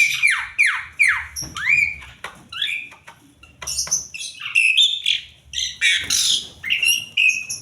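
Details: Asian pied starling in varied song: several downward-sweeping squeaky whistles, then a jumble of clicks, chatters, harsh rasps and high squeals with brief pauses between phrases.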